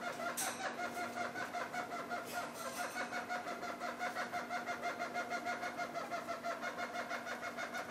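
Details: Red-crowned parakeet pair eating half-ripe willow seeds, giving a continuous run of rapid, nasal pulsed notes about three per second, with a few sharp clicks early on and a constant low hum behind.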